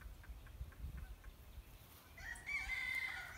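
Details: A green heron, thought to be nesting in a tree, gives one harsh, drawn-out, nasal squawk, possibly an alarm call, after two seconds of quiet as someone approaches and a small raptor may have flown off; faint low rumble.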